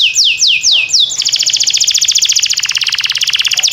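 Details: Canary singing as a training model for canaries: four sweeping falling whistles, then a long fast rattling trill of evenly repeated notes.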